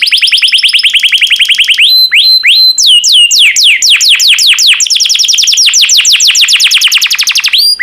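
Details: Yellow canary in continuous loud song, with fast trills of descending whistles, slower looping slurred notes, then a long rapid rolling series of clear whistles.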